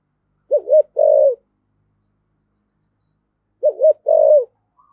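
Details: Spotted dove of the 'thổ sấm' voice calling as a decoy: two identical low phrases about three seconds apart, each a quick double hoot and a longer burry coo.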